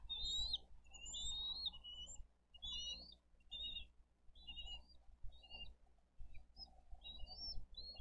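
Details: Bald eagles feeding their eaglets with fish at a nest in Dade County on 22 April 2023: repeated bursts of high chittering, stuttered whistled notes, several per second, over a low steady background hum.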